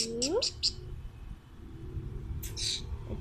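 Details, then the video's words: Pet Alexandrine parakeet indoors giving a rising, harmonic whistled call followed by short harsh squawking bursts, with a person talking nearby. "My Cute Talking Alexandrine Parrot"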